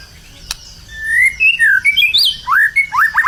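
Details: White-rumped shama, said to be in vigorous song and ready for contests, delivers clear whistles that rise and fall, climbing to higher notes, then several rapid upward-slurred whistles; one sharp click near the start.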